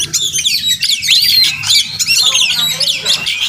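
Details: Oriental magpie-robin, a wild bird frequenting a house yard, possibly nesting close by; lively high whistled phrases and chattering notes run together without pause over a soft low hum.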